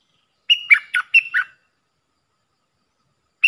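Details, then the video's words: Decoy call of a puff-throated bulbul, meant for teaching young captive birds: one quick chattering burst of four or five rough, nasal notes, then a long silence and the start of another note. "เสียงต่อนกดอกแตงEp.114เสียงสำหรับหัดลูกเสอ/ลูกป้อน!!Birds sounds"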